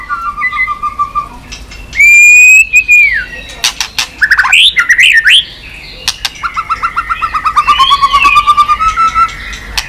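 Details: Chòe lửa, the white-rumped shama, excited into fast singing with tail-beating. Varied loud song: a low trill, a bright held whistle falling away, sharp upswept notes, then a long rippling trill.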